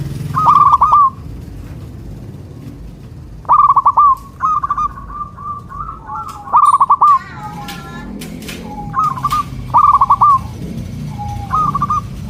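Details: Local zebra doves singing as a lure for other local doves. Loud rolling, stuttered coo phrases repeat every few seconds. Softer coo strings sit between them, along with a few sharp clicks and wing-like rustles.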